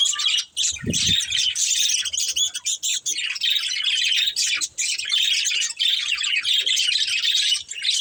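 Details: Pet budgerigar breeding pair keeping up a steady, high, rapid twittering chatter with brief dips, and one low thump near the start.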